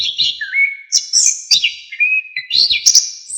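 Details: Orange-headed thrush singing lively, varied song, kept as a master recording for teaching other songbirds: short sliding whistles and sharp high chirps follow one another quickly, some notes held briefly, others rising and falling.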